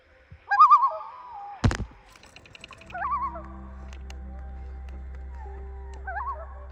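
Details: Common loon (Gavia immer) gives wavering, quavering tremolo calls in three short bursts, over a steady low motor-like hum and one sharp knock.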